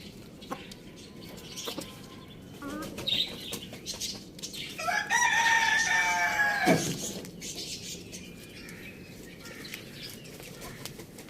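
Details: Rooster kept as a pet at Lalukhet bird market, Pakistan, giving one loud crow of about two seconds, harmonic and slightly falling, amid scattered clucks, budgie-like chirps and background noise.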